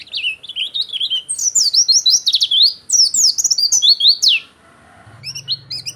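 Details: Oriental white-eye delivering a loud, fast twittering song, used as a master or lure bird: dense high warbling phrases for four seconds, then a pause with low hum and a few sharp chirps.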